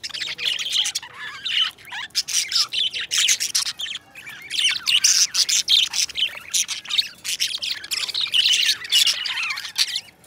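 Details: Two pet budgies, best friends, singing and chattering; a steady warbling stream of chirps, squeaky twitters and rasping notes with hardly any pause.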